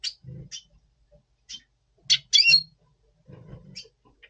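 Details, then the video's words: Pre-breeding red siskin, double pastel form, November 2023: scattered high chirps leading to a loud buzzy twitter, with low chatter beneath. "Red Siskin 🦩Double Pastell 🔥FeuerZeisig before Breeding - Voice Brutstimmung"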